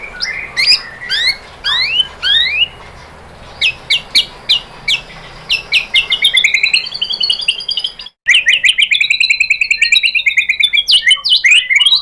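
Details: White-rumped shama song used to provoke a caged bird into answering: rising slurred whistles, then sharp clipped notes speeding into a dense rapid trill with sweeping high phrases after a brief gap.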